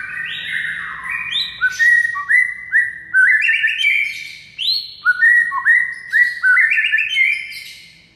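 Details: White-rumped shama masteran, used to make a silent shama sing: continuous rich whistled song of rising slurs, varied pitch steps and high swoops, with barely any breaks.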